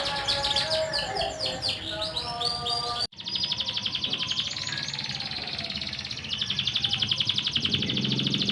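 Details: Canary song as a lure for silent birds: three seconds of fast sweeping trills, then an abrupt cut to a buzzy, rattling rapid trill held for several seconds.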